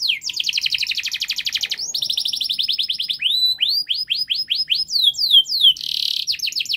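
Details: Canary singing a long, fast, tightly packed song used as a model to train young canaries: rapid rolled trills of repeated notes, then a series of rising swept whistles and a buzzy burst, all high-pitched.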